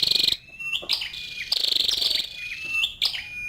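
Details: Short run of a female scarlet-backed flowerpecker's high ticking chirps, two dense bursts with thin steady whistled notes between them.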